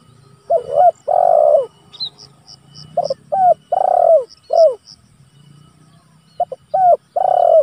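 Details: Spotted dove calling to rivals, recorded for luring and training: three cooing phrases in quick succession, each with brief hoots, a long full coo and a sharply falling last note, faint insect ticks behind.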